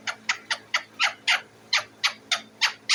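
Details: Pet parrot sitting on its cage, noisy for food, repeating short hoarse squawks roughly every quarter second throughout, steady and insistent, over a low background hum.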